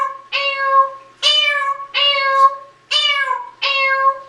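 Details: Sixteen-year-old adopted African grey parrot indoors, which repeatedly asks its owner the same question while the owner cleans. Five loud, drawn-out, harmonic calls sound meow-like, each starting high and sliding slightly down, about one every 0.8 seconds.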